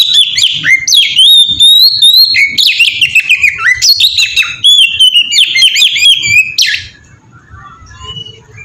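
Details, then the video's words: Oriental magpie-robin in ngeplong style, a melodious song used as a lure to make other magpie-robins sing: loud, rapid, varied whistles and trills sliding up and down, continuous for about seven seconds, then breaking off into faint scattered notes. "suara burung kacer ngeplong merdu sangat ampuh buat pancingan kacer bahan bikin cepat gacor"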